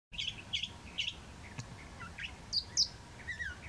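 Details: California thrasher singing at Whitewater Preserve, 3 January 2017: a quick run of short, varied chirpy phrases, about two per second, mostly mid-high with a few sharper high notes.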